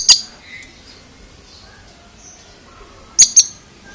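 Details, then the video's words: Unusual call of an Oriental magpie-robin: a single sharp high click opening, a few faint thin notes, then a crisp double click after three seconds. "Suara ANEH Kacer ini"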